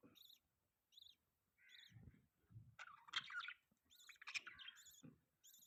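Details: Budgerigars chirping and warbling: repeated short high stacked chirps at irregular intervals mixed with scratchy chattering phrases, some low rustling beneath.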